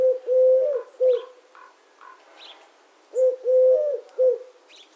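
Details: Eurasian collared dove giving two three-note coo phrases, short-long-short, low and soft, while small birds chirp and twitter faintly in the background.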